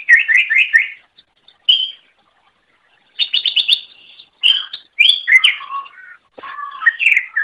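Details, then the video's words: Greater green leafbird singing, meant for training other birds: quick repeated whistled trills, a single note, then a rapid stuttering series and varied slurred, mimic-like phrases dropping lower in pitch. "Masteran Suara Cucak Ijo"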